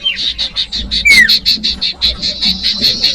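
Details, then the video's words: Common iora (cipoh) sound used as a lure for young birds: fast steady string of high pulsed notes, broken once by a clear falling whistle. "Audio Suara Burung Cipoh/Sirtu/Sirdung cocok buat pancingan bakalan"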